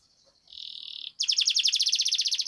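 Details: Canary song used as a lure recording to get other canaries singing steadily and rolling; a short high whistle, a buzzy trill near 4k lasting half a second, then a fast, loud series of rapid repeated notes.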